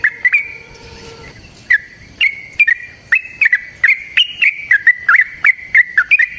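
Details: Yellow-vented bulbul giving a long fighting song meant to provoke other bulbuls to sing; after a few opening notes and a brief lull, quick bright whistled notes tumble along steadily, some rising, some dipping.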